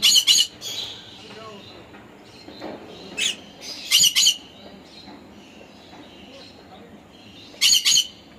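A conure gives harsh, high, grating screeches in short doubled bursts, a few seconds apart, with faint chatter between.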